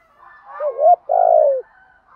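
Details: Spotted dove, male and female calling to stimulate kept birds; a wavering rising coo leads into a long, rough, slightly falling coo.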